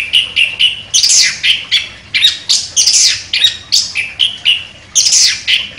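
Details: A chestnut-capped thrush, a champion contest bird, sings loud, rapid, harsh and scratchy bursts high in pitch, several each second, with brief breaks between phrases.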